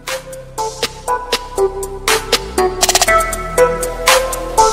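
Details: Electronic music with punchy beats, bright synth notes and a rapid clicking roll; no animal sound is heard.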